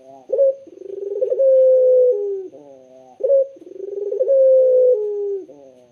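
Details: Island collared dove cooing twice in succession. Each coo begins with a quick rising burst, rolls into a warbling middle and ends on a long, smooth, falling tone. Background quiet.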